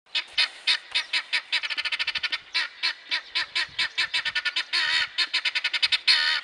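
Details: Male guineafowl singing: a long run of harsh, rasping, buzzy notes, about five per second, speeding into a tight rattling burst midway, then slowing to spaced squawks before a final dense rasp.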